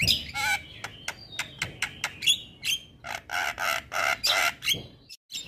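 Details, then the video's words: Male white-eyed Javan myna song meant to trigger singing in quiet mynas: mix of whistles and harsh squawks, then a string of loud grating, buzzy notes repeated about twice a second before stopping abruptly. "Pancingan Burung Jalak Malas Bunyi Dengan Suiara Jalak Kebo Jantan Mata Putih"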